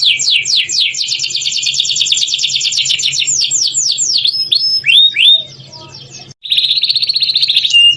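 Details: Singing canary meant to set other canaries singing: quick repeated rolling trills, a few slurred rising whistles, a brief break, then a buzzy sustained chattering note ending in a clear whistle, with a faint low hum throughout.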